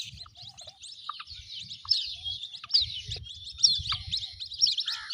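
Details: White-breasted waterhen young keep up a high, twittering peeping, many overlapping upward-slurred notes, against a soft low background rumble.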